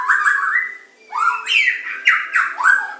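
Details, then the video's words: Medan white-rumped shama training song, pancingan, macet, tembakan and isian styles. A steady whistled phrase at the start, a short pause, then rising and falling rich whistles and abrupt, sharply modulated notes in quick succession. "Materan burung murai batu medan super-pancingan macet-tembakan-isian"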